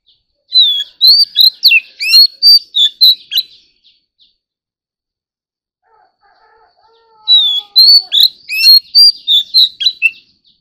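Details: Oriental magpie-robin singing competitively: two loud bursts of rapid, varied whistles and chips, each about three seconds long, separated by a quiet gap with a faint sustained tone.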